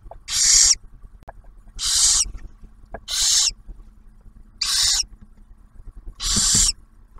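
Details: Nest camera recording of barn owls near Oak Harbor, Ohio, as the male delivers prey and the female shares it with the young owlet; five steady, breathy screeches evenly spaced about every 1.4 seconds, faint ticks between.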